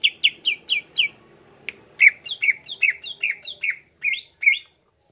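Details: Greater green leafbird, cucak ijo, in full varied song meant to provoke other leafbirds into singing: a run of sharp descending chirps repeated about four per second, a brief pause, then faster downward-slurred notes, over a quiet low hum.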